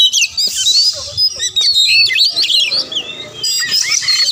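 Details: Oriental magpie-robin, sung to make quiet rivals answer and fight: bright whistled notes between harsh buzzy rasps, ending in a dense scratchy burst.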